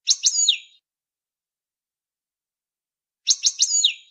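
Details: Goldfinch batbata used as a lure for trapping: two brief bright phrases about three seconds apart. Each has two quick clipped notes followed by a slurred note that drops in pitch.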